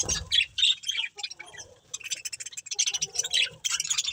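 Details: Budgerigars of a breeding pair giving quick, choppy chirps and squeaks, short sharp notes in uneven runs with faint lower murmuring between.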